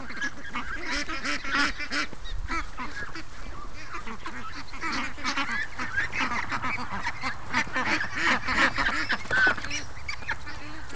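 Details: Many free-range ducks chatter on a morning with no rush, giving fast, overlapping nasal quacks in a dense, continuous stream with small surges in volume.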